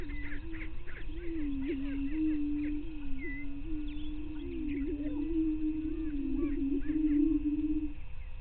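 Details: Greater prairie chickens displaying at dawn on 9 May 2023 on Bluestem Prairie in northwestern Minnesota. A low, wavering hum thickens toward the end, accompanied by many quick, higher cackles and chirps.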